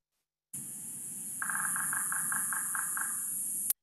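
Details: Red-breasted Sapsucker, from a Truckee Meadows, northern Nevada talk, drumming with its characteristic offset "hiccup": about eight quick taps in under two seconds, unevenly spaced rather than a steady roll, over a constant high hiss.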